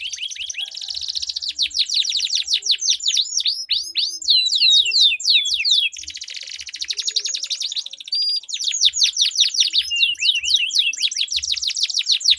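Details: Canary duel of long rolling song, intended to trigger singing in stalled canaries: continuous high rolling trills and quick repeated downward sweeps, with dense overlapping phrases throughout.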